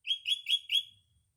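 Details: Sooty-headed bulbul singing in the morning amid green nature: four loud, bright chirped notes in quick succession, each slurring slightly, the last trailing off, over near silence.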